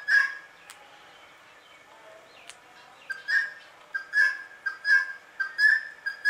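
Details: Indian ringneck parakeet in a very calm mood making sweet sounds: loose runs of short, bright, clear calls, each a quick pip followed by a fuller note, coming irregularly after a quiet stretch.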